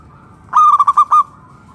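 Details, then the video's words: Local zebra dove (perkutut lokal) in full song, used as a lure to get other doves singing: one quick phrase of about six pulsed, staccato coos, loud and clear, then quiet. "PERKUTUT LOKAL GACOR SUARA PALING AMPUH UNTUK PANCINGAN BURUNG PERKUTUT AGAR NYAUT BUNYI GACOR"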